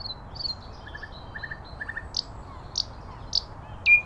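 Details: Common nightingale singing outdoors, fairly quiet: thin high whistles, small clusters of soft low triplet notes, and several sharp high chips spaced about half a second apart.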